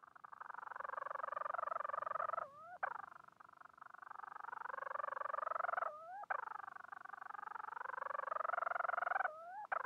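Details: Bermuda petrel calling for a mate, giving long rapidly pulsed, throaty moans with a slight rise, each ending in a quick upward-sliding note, repeated three times with short gaps and a faint steady background hiss.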